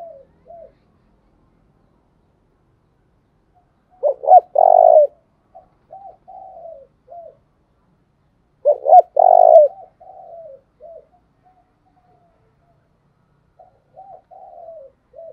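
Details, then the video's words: Decoy spotted dove urging wild doves to answer: two loud coo phrases about five seconds apart, each of short notes leading into a sustained coo, with quieter scattered coos in between. "Tiếng chim cu mồi thúc sung nghe là ghiền bổi nghe là 100% gáy"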